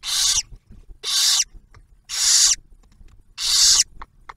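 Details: Barn owl at the Ottawa National Wildlife Refuge nest camera near Oak Harbor, Ohio, as the male delivers food for the female and first owlet; four long, loud hissing screeches with faint clicks between.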